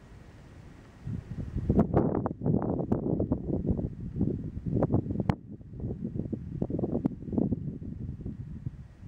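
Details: Gusty wind buffeting and rustling fill the recording in rough bursts, with no animal voice audible.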